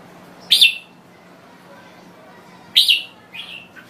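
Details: Thai red-whiskered bulbul giving two loud, sharp whistled phrases about two seconds apart, followed by a softer short note, against a quiet background with a faint low hum.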